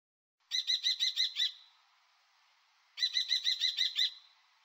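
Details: Common kestrel, a European bird, giving two bursts of six to seven sharp, high, rapid kee-kee notes about 2.5 seconds apart. Each burst ends in a short trailing tone, with silence between.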